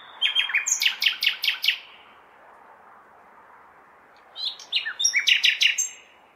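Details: On a May night in a big city, a common nightingale sings to attract females: two bursts of fast, clicking repeated notes about two seconds apart, with constant city rumble behind.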